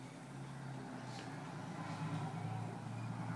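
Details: Low vehicle rumble with a steady engine drone, slowly growing louder, and no animal call heard.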